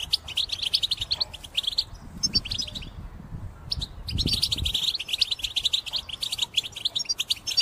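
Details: European goldfinch song used as a lure for trapping: quick bursts of high twittering and chirping notes, broken by a short pause near the middle, with low rumbling noise underneath.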